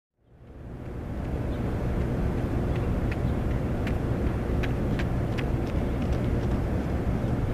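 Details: Noise rises within the first second into a loud steady rumble of wind or traffic, with a few faint sharp clicks.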